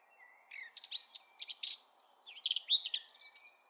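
A Eurasian blackcap delivers a rich, fast warble of clear fluty notes and quick chattering phrases, rising and falling, over a faint low hum.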